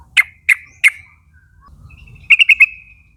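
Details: Lure calls of yellow-vented bulbul summoning a young wild flock to sing along: three spaced, sharp clipped notes, a pause, then four quick ringing notes drawn out into a fading thin tail.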